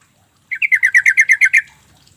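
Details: Lure call of a sooty-headed bulbul, meant to make reluctant, silent birds answer. A steady burst of about eleven rasping, chattering notes lasts just over a second, then stops, leaving near silence.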